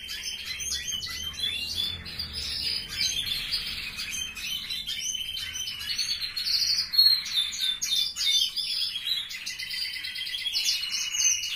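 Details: Inside a family aviary of canaries, a steady chorus of high, chattering song: quick rippling trills and thin whistles run on without a break, louder bursts toward the middle.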